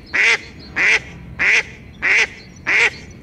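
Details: Guttural mating call of a tufted duck, a small diving duck: five strong, grating, nasal notes at a steady rhythm roughly every 0.6 seconds, with soft high bird twitters behind them.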